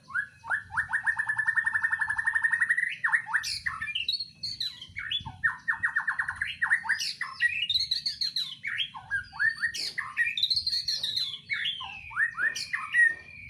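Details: White-rumped shama singing in a breeding cage, a full varied song: rapid runs of repeated rising notes, buzzy trills and sweeping whistles, phrases flowing almost without pause.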